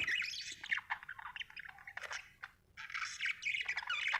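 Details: Happy budgerigar chirping in rapid, scratchy, warbled chatter with squeaky whistles, a short quiet gap midway, then renewed lively twittering, with faint low hum beneath.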